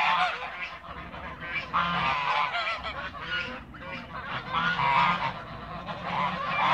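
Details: Backyard flock of Toulouse geese keeping up a dense, continuous chorus of harsh overlapping honks with no pauses.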